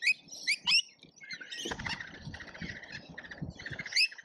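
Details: Lorikeets in a feeding frenzy at a feeder in Australia, filmed by a feeder camera: sharp shrill chirps at the start, then a stretch of scratchy, buzzing chatter with low rustling beneath.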